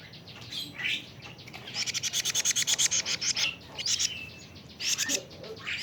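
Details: Plaintive cuckoo, a young bird 41 days old: a quick series of harsh, scratchy, high-pitched pulses, about four to five a second, with a few rising buzzy notes before and after.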